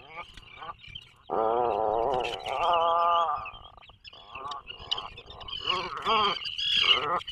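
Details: Atlantic puffin in a nesting burrow off the coast of Maine; long, drawn-out harmonic groaning moans, wavering and nasal, with high scratchy chatter between phrases.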